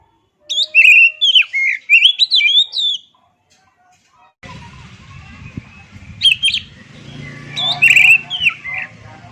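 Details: Oriental magpie-robin gives several seconds of loud, varied whistled phrases, then a noisy stretch with low hum and possible faint music while the bird continues with scattered whistles.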